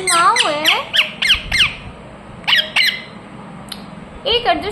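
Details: Ringneck parrot kept as a pet producing a burst of harsh, downward-sliding screeches, a pause, two more piercing calls, then a wavering, voice-like phrase.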